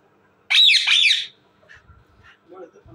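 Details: Indian ringneck parakeet giving a loud, harsh, raspy screech in two rough bursts lasting under a second, followed by faint scattered clicks and soft noises.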